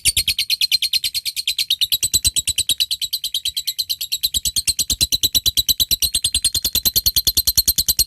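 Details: Lovebird in top singing form uttering a long ngekek to call a rival, a sound used to prompt other lovebirds to sing: a dense, rapid, continuous rattle of harsh high notes, about three per second.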